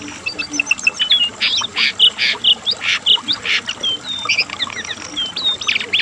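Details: Asian brown flycatcher singing, a recording used as a tutor and lure for pet birds: harsh squawky bursts repeated about twice a second, mixed with short high whistled notes and thin rising chirps.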